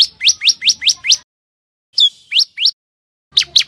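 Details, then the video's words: Common tailorbird calls: a quick run of sharp ascending chirps, a pause, then a few more rising notes and a final pair. "សំទ្បេងសត្វចាបតេត | Common Tailorbird sound"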